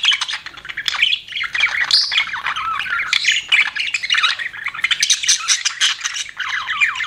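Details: Pet budgie parrot warbling without pause for several seconds: a busy stream of chirps, squeaks, clicks and harsh squawky notes, fairly loud and close.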